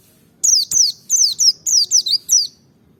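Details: One tight burst of about eight shrill, downward-sweeping chirps from a Merapi forest-type white-eye, delivered in under two and a half seconds to stir other birds into song; a single click near the start.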